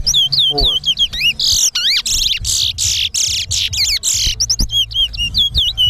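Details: Towa towa (chestnut-bellied seed finch) singing in a whistling competition in Linden, Guyana: sweet slurred whistles dropping and rising, then a run of loud buzzy, rasping bursts before more quick whistled notes, with faint low background hum.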